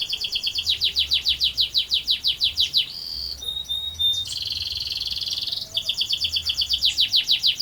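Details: Canary singing a long rolling song: fast repeated descending notes, then sustained buzzy trills and rapid rattles, then descending sweeps resume.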